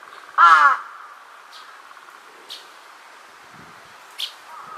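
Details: Large-billed crow calling on 2 September 2022, answering distant calls: one loud, harsh, harmonic caw near the start, followed by a few faint short calls in the background.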